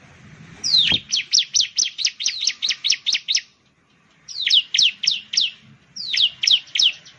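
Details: Ciblek, the bar-winged prinia of Indonesian rice fields and settlements, delivers a fast run of about ten loud downslurred chips, then two shorter groups of four after brief pauses.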